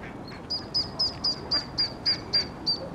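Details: Ducklings squeaking as they follow their mother duck at Iffley Lock on the River Thames, Oxford. Nine clear, high, slightly rising peeps come evenly, roughly every quarter second.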